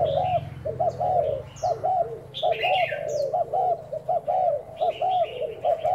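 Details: Spotted dove serving as a decoy bird, cooing on trial: spaced, arched coo notes in short groups, with higher bird chirps and a low hum early on.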